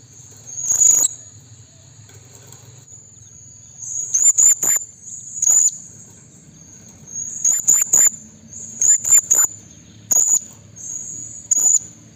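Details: Blue-crowned hanging parrot calling to challenge rivals, a lure sound for trapping: shrill, very high, sharp notes given singly or in quick pairs and triplets, spaced irregularly, over a steady high whining drone and faint low hum.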